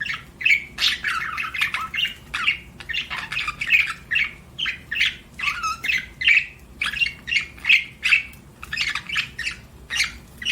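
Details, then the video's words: Budgerigar chirping as a kept pet, giving rapid, evenly pulsed chirps and sharp squeaky notes, repeated roughly every half second in a steady chatter, with a low background hum. "BUDGIE CHIRPING SOUNDS"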